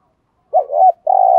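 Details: Spotted dove kept as a trained decoy for luring wild doves, giving the thúc gù cooing style: a short wavering double coo, then one steady low hollow coo. Quiet indoor setting.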